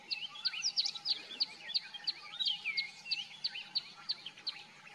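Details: Common myna singing: a quick run of sharp, high chirps repeated about three times a second, mixed with slurred whistles, over a steady background hiss.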